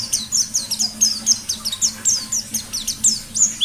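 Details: White-eye singing a rapid, steady string of high chirps, each note a quick downward slur, repeated about four times a second in lively forest style; quiet low hum present.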